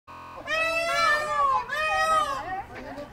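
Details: Peacocks at Cape May Zoo calling for mates: loud, nasal, wailing calls with strong harmonic bands, two long drawn-out cries in quick succession, the second slightly lower and wavering.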